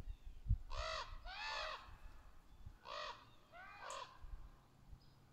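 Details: Juvenile and adult ravens talking to each other in the trees: four loud, harsh, hoarse caws in two pairs, each bowed and harmonic-rich, with quiet low background rumble.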